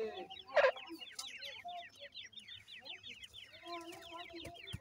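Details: Iranian partridge chicks give a steady stream of high, thin peeps, several each second, while a parent feeds them; the adult's single louder, clucking note breaks in near the start.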